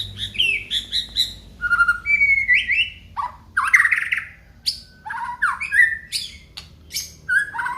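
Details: White-rumped shama of the Aceh type delivering a full varied song: rapid bursts of whistled and buzzy phrases, rising and falling slurs and sharp chirps packed densely across nearly eight seconds.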